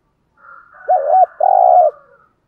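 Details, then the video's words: Two low, hollow coos from a spotted dove, the second longer and steady, set in a soft breathy murmur. Morning call used to encourage trained decoy doves to start cooing. "chim cu gáy kích bổi thúc gáy gọi bổi buổi sáng"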